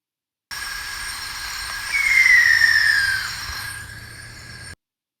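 A Sooty Owl gives its bomb-drop call, a single thin whistle sliding steadily downward for over a second, over a steady background hiss.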